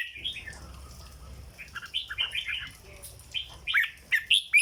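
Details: Caged red-whiskered bulbul singing in the 'legendary flower' song style (rong dok): short whistled, warbling notes, quiet at first, then rising and falling phrases in bursts toward the end.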